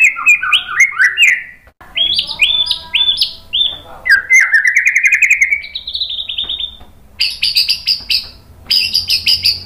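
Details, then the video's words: White-rumped shama in full song, meant to make other shamas answer. Rapid up-and-down phrases and stepped rising notes lead into a long steady trill, then repeated high buzzy trilled bursts separated by short pauses. "MASTERAN MURAI BATU biar EMOSI NYAUT jadi GACOR BONGKAR TEMBAKAN ¦ PANCINGAN MURAI"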